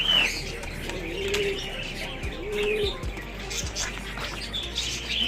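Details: Pigeons giving brief low cooing notes, two spaced about a second and a half apart, while other small birds chirp and whistle higher up and occasional wing flaps and knocks sound.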